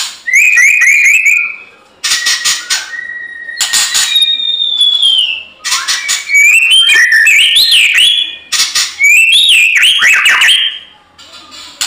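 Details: White-rumped shama in fighting-mode song, played to make other shamas sing back: stepped rising whistle series, long sliding notes and harsh clicking bursts, ending in a flurry of warbled phrases.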